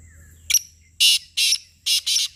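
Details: A black francolin gives a short sharp opening note followed by two pairs of loud, rasping, scratchy syllables in quick rhythm, all within about two seconds, over a soft low background hum.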